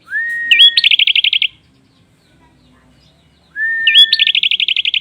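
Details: Two phrases of prinia song about three seconds apart, each a clean rising whistle held level, a short twisting note, then a quick, evenly repeated burst of harsh high clicks. Quiet between phrases.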